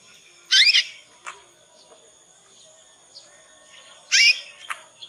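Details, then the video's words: Young Yorkshire canary rehearsing the ngriwik sound meant to teach and draw replies from other canaries; two loud rising chirp bursts about three and a half seconds apart, with faint ticks between. "Kenari Manapun Pasti Nyaut dengan pancingan masteran kenari paud ini"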